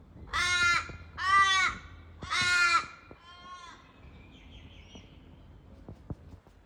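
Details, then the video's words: Australian crows in Sydney, Australia, calling with three loud, harsh, nasal caws about a second apart, then a weaker fourth caw, followed by quiet with faint clicks and light background noise. "Funny sounds by Aussie crows"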